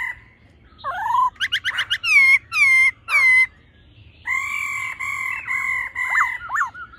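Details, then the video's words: A female and a male laughingthrush sing in a wild-type voice: a rising slurred whistle, then rapid rich nasal notes and a run of loud, clear, fluty whistles with warbled twists. "khướu mái ro +trống hót giọng già rừng"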